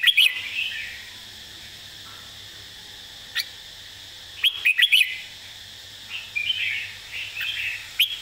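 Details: Red-whiskered bulbul teaching song for birds: brief bright notes open, then a tight phrase of four quick whistles midway, followed by softer warbling and a final sharp note, over faint hum.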